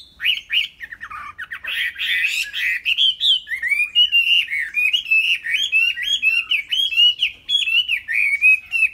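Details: Chinese hwamei, a tame bird, in full song: a rapid stream of bright whistled phrases, rising and falling, many notes a second. The song starts with rougher chattering and then settles into loud, ringing repeated trills.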